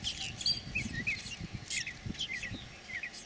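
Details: A purple martin breeding colony in gourds under a martin house in San Benito, Rio Grande Valley, Texas, on 26 May 2014 chatters with overlapping gurgling chirps and rising notes, over a steady high hiss and low rumble.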